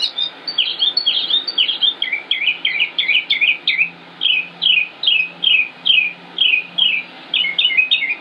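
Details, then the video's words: A male northern mockingbird in Concord, North Carolina, 25 May 2016, sings a long series of repeated slurred, downward chirps, roughly two per second, changing pattern slightly partway through, over a faint low hum. "Northern Mockingbird Just Sings and Sings and Sings"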